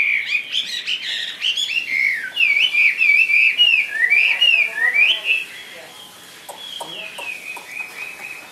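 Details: Varied whistled song from a caged Chinese hwamei: fast looping, slurred notes strung in rapid sequence, growing softer toward the end with a few sharp clicks behind.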